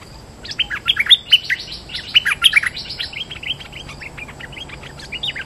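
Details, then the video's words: A bulbul sings a lure song of bright, bubbly chirps and short warbled phrases that tumble over one another, busiest early on and then thinning into scattered, quieter notes. "Suara pikat merbah lekir gacor"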